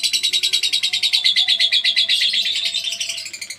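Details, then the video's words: Lovebird giving a long ngekek chatter recorded as masteran tutor audio: a fast, even run of shrill, rasping notes, about eight per second, holding steady at high pitch for over three seconds and fading slightly at the end. "LOVE BIRD NGEKEK PANJANG"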